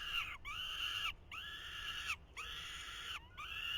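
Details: Falcon chicks at the nest in 2023, being fed by the male, give loud harsh drawn-out screeching calls with rich harmonics, each about a second long, repeated with short pauses between them.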